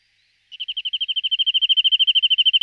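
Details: Corsican nuthatch giving a fast, even trill of short, identical high piping notes, about ten per second, growing louder over two seconds after a brief silence; nothing else is heard.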